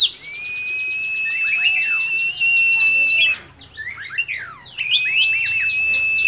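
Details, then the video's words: Oriental magpie-robin in ngobra style with its tail spread, delivering a long, high, buzzy rattle, breaking into a tangle of quick slurred chirps, then resuming the sustained rattling trill. "kacer gacor gayanya manteb banget ngobra dan buka ekor"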